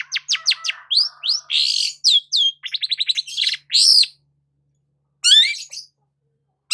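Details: Sunbathing in the morning, a long-tailed shrike delivers a varied, rich song of rapid whistled upslurs, buzzy trills and sweeping slurred notes, followed by a quiet gap and a final squeaky burst.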